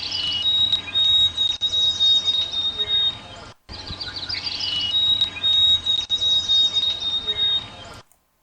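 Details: White-throated Sparrow song given twice, each a pure whistled phrase: a brief lower note rising to long, level high whistles, separated by a short gap, against a steady hissing background. The species nests far north in the boreal forest.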